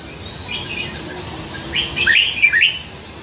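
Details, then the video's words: Caged red-whiskered bulbul, raised from a hand-caught juvenile, noted for many different songs; a quick cluster of clear, bouncy whistled notes near the end after a quiet start with low hum. "นกกรงหัวจุก เจ้าออสการ์ ร้อยเสียง"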